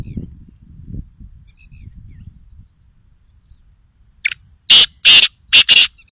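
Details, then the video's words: Black francolin (kala teetar) calling after a quiet stretch of low rumble: one short burst, then three loud, rasping, broadband notes in quick succession, each lasting a fraction of a second. "Teetar Voice"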